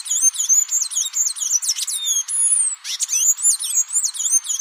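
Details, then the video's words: Blue-gray tanager (Thraupis episcopus) in continuous, dense song of shrill, squeaky, rapidly repeated slurred notes. A short break comes midway before the twittering resumes. "O canto do Sanhaço da Amazônia"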